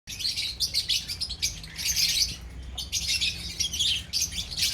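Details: A colony of lovebirds chattering together: dense, overlapping shrill chirps and squeaks in loud bursts, briefly dropping off near one and a half and three seconds before swelling again, over a faint low hum.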